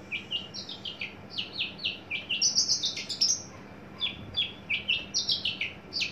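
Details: Adult male Javan bush lark, a tame caged bird coming into breeding condition, delivering a loud run of high descending whistled notes and short buzzy trills, phrases repeated rapidly with brief pauses.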